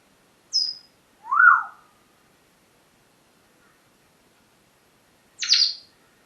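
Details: Parrot calling in the morning: a thin high piping note, then a lower arched whistle, and after a long pause a sharp, bright high squawk.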